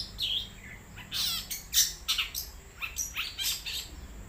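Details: Wild long-tailed shrike in full song, a dense scratchy mix of rasps, sharp chirps and short downslurred whistles tumbling irregularly, faint steady electronic whine in the background.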